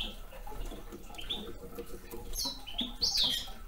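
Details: A young male red crossbill gives soft chips, then a louder burst of sharp high notes near the end, against a background of light crackling and rustle.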